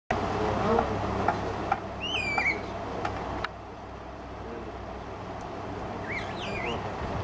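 Tristram's starling gives two bursts of clear, swooping whistled notes a few seconds apart over a steady low rumble of wind or distant traffic.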